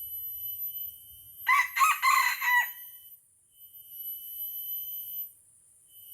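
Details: Junglefowl from Aceh, Indonesia, a decoy bird on its first outing in a fierce fight with a wild rival, gives a loud, hoarse, broken crow of several rapid harsh syllables lasting about a second, over a steady high insect drone.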